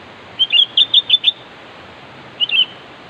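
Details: Sooty-headed bulbul in lively calling to draw a rival: a quick run of about six bright, evenly spaced whistled notes. A short pause follows, then a single slurred two-note whistle, with soft continuous hiss.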